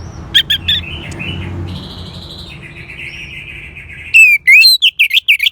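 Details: Orange-headed thrush song played to prompt a silent caged bird to sing: mostly quiet at first with a low hum, then a loud burst of rapid, sharply modulated high whistles and chirps near the end.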